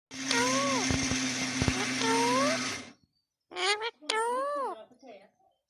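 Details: A pet parrot named Mitu talks in short, voice-like phrases that rise and fall in pitch, first over a steady household hum, then two quick clearer phrases.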